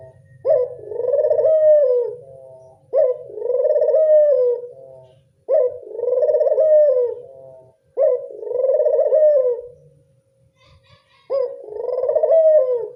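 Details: Repeated lure coos of a local Barbary dove to attract doves: five rolling, vibrating coos, each begun with a clipped sharp note, about every two and a half seconds, with a longer pause before the last, faint low noise underneath.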